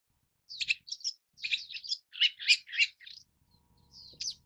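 Long-tailed Shrike giving a run of about a dozen harsh, scratchy, high chattering notes in quick uneven bursts, with a faint low rumble near the end.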